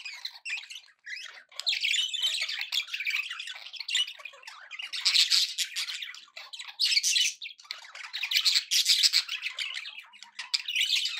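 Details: Budgerigars chatter happily for over ten seconds, a dense, buzzy, rapid stream of squawks and chirps that swells and fades with short breaks.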